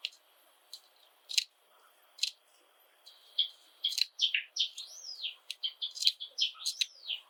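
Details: Indoor pet Java sparrow from a household of seven birds: a few spaced sharp clicks, then an accelerating song of chattering clicks and looping whistled notes that rise and fall in quick succession.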